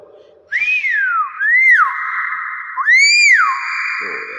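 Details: Common hill myna giving loud, clear whistled notes: a high slide dropping away, a short rising-and-falling whistle, then a rising arched whistle over a steady sustained tone, in a quiet indoor setting.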